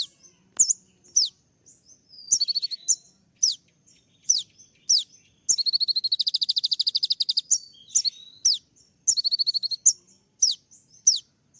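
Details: Sunbird known as kolibri ninja, a lively singer whose tembak-style song is used as training material for other birds. Sharp high slurred notes alternate with long dense trills of rapidly repeated ticks, the longest lasting about two seconds.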